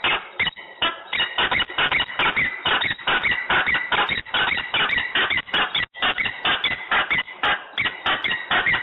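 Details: Peregrine falcon quarrelling in Włocławek, Poland, on 15 November 2020 at 14:22; a fast, scolding series of grating notes, roughly two to three per second, running on nearly continuously.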